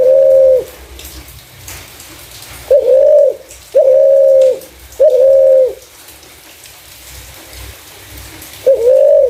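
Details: Spotted dove calling in a clear voice, used as a lure for other doves. Five steady mid-pitched coos, a lone one, then three in quick succession after a two-second gap, and a final one after a longer pause.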